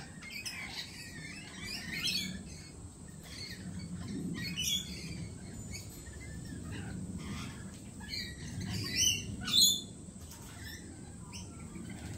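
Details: Lorikeets at a cafe giving harsh, screechy bursts of chatter in irregular clusters, the loudest near the end, over a steady low rumble of background noise.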